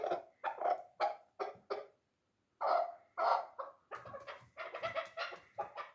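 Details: Three-year-old hunting chukar partridge giving rapid series of harsh clucking notes in bursts, a brief pause near the middle, then a faster run of chuck notes toward the end.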